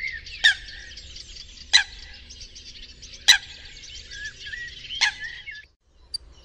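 Eurasian coot giving four loud, sharp, explosive single notes about every one and a half seconds over a busy background of high twittering from other birds.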